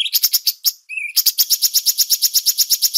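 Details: A bulbul, in a master-song recording with water-therapy pauses, gives a fast, high, scratchy chatter of clipped notes, about six a second, broken once by a short clear whistle.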